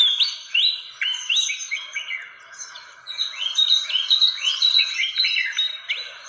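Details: Lure sound of a fantail from Indonesia: bursts of sharp upswept whistles given in quick series, pausing briefly near the middle before a denser run of chirps.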